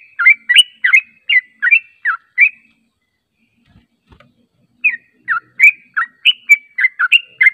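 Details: Yellow-vented bulbul lure recording meant to make birds respond: short bubbly, chattering notes rising and falling, delivered in a quick burst, then a pause of about two seconds before a second lively run of notes.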